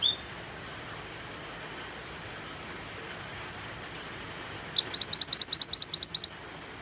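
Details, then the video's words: White-eye (mantenan) song played over rain sounds to coax other birds to sing. After a long stretch of steady hiss, about a dozen quick, high, upward-sweeping chirps come in a rapid even burst near the end. "MANTENAN GACOR DENGAN SUARA HUJAN"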